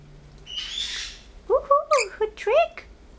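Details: Talkative pet male blue-headed pionus, kept indoors, that mimics phrases such as come here and good boy: a brief breathy whistle, then three or four quick, voice-like syllables with wavering pitch.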